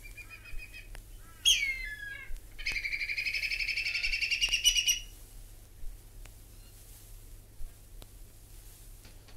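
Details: Whistling Kite of Australia calling: a clear falling whistle, followed by a quick rising series of buzzy staccato notes lasting about two seconds, with quieter clicks and faint background hiss.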